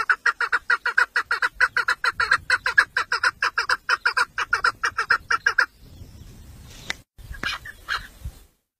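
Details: Tame village female chukar partridge, a 'mari' decoy bird kept for hunting, calling to attract males: a long run of harsh, even chuck notes at about two per second, followed by faint rustling and brief knocks.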